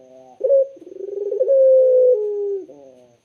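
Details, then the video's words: One clear coo of a Barbary dove with a soothing voice: short rising burst, a wavering middle section, then a long smooth tone stepping lower before fading. "BURUNG PUTER SUARA JERNIH DAN SYAHDU"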